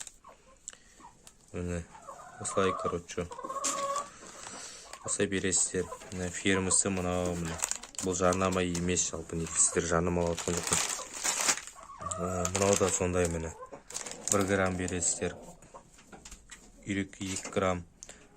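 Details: Domestic chickens cluck in short, throaty bursts, repeated in rhythmic runs with brief pauses.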